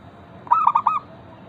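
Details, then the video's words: Local zebra dove giving a lure song to prompt other zebra doves to sing: one short phrase of four quick, bouncing, accented coos lasting about half a second, over faint steady background noise. "Perkutut lokal gacor pancingan ampuh Suara disukai burung perkutut bikin cepat bunyi langsung nyaut"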